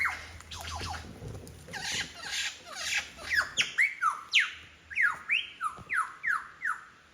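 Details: Wild lyrebird on Forest Path in Royal National Park, Sydney, Australia, belting out a repertoire of mimicked bird sounds; a rushing harsh start, then a rapid series of loud whistled downslurred notes repeated about once a second.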